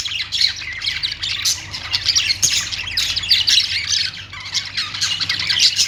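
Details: Australian parrot song from budgerigars: a constant rapid jumble of bright chirps, harsh squawks and warbling twitters, rising in louder clusters roughly every second, with a low background hum throughout.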